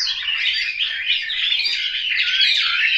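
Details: Chinese hwamei kept in a cage at a Hanoi home in Vietnam, singing a dense, loud rush of sweeping whistled and harsher chattered notes without a break.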